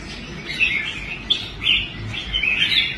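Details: Caged red-whiskered bulbul, once quitting fights and now restored, singing on a display stand: short warbled phrases of bright, slurred notes about once a second, over a low background rumble.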